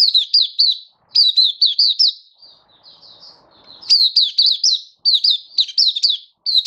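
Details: Hobby-kept oriental white-eye giving its 'buka' open song, dated 24 February 2023: quick bursts of high, sharp, descending notes, a short pause, a quieter twittering passage, then renewed chirping runs.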